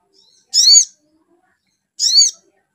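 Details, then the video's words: Two loud, high, downward-curving squeaky calls about one and a half seconds apart from a spiderhunter, played to stir the bird into singing. "SUARA MENAIKAN EMOSI SOGON BIKIN SOGON LANGSUNG NYAUT GACOR"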